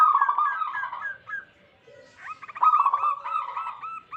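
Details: Wild local zebra dove song meant as a trapping lure for wild doves: a quick rolling run of clipped cooing notes, a short pause, then another staccato burst as a second bird joins.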